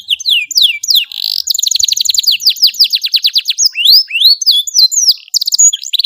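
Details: Canary in full gacor song, a long melodious master song for training young birds: fast repeated downslurred notes and rolling trills run continuously, bright and high-pitched with no other sounds.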